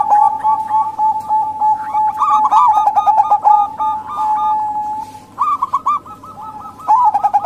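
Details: Luring call of a female local zebra dove, aimed at males slow to call and at wild doves: fast trilled coos in repeated phrases from overlapping birds, a quieter stretch, then fresh bursts.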